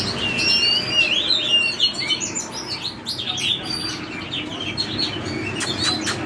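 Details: Teardrop-bodied Oriental magpie-robin pouring out a dense, continuous run of high whistles, slurs and twittering trills in "forest voice" style, with occasional sharp clicks over constant hiss.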